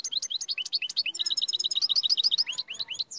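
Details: Moroccan royal goldfinch singing continuously: rapid, high, liquid twitters and rolling trills in quick succession. Chattering phrases repeat many times a second without a break.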